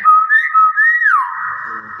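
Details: Chatty common hill myna whistling a steady clear tone with a brief wavering rise. The whistle then slurs downward and fades into a softer sustained note.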